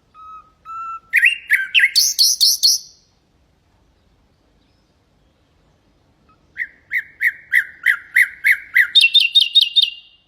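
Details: Nightingale in Hasaniya-style song for teaching canaries and goldfinches; low whistles and fast bursts, a long silence, then steady repeated notes accelerating into a high, quick trill.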